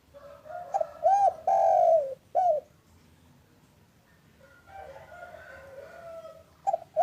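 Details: Local spotted dove, called derkuku or tekukur, recorded in the afternoon and played to prompt silent doves to call. It gives a loud rhythmic coo phrase of several throaty notes, then quiet, then another phrase begins.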